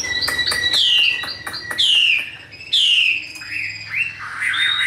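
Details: Caged Chinese hwamei, said to be tame, big-bodied and a fighter that fans out; strong downward-swooping whistles repeated about once a second, mixed with sharp clicks and a wavering rising phrase at the end.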